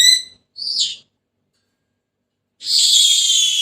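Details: Senegal parrot gives a clear harmonic whistle and a short hoarse note, falls silent for over a second, then lets out a long sustained raspy squawk.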